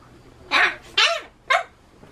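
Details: Pet Solomons cockatoo indoors screaming suddenly while talking: three harsh, loud, broad screeches, each under half a second, in quick succession.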